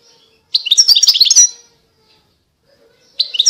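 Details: European goldfinch singing a rapid twittering phrase of liquid, tinkling notes about one second long, followed by a short silence and the start of another phrase.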